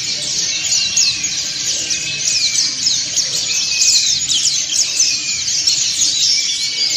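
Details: Dakun and montanus white-eyes in a communal ngriwik song: constant bright high chatter with short upward-sweeping whistles standing out roughly every one to two seconds.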